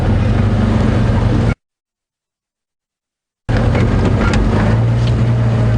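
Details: Engine rumble of a moving vehicle, broken by about two seconds of total silence, then the droning motor resumes.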